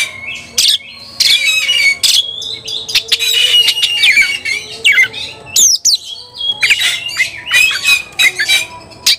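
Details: Excited white-rumped shama hunting for a rival, giving buzzy harsh strings alternating with clear swooping whistles and sharp clicky notes in quick succession.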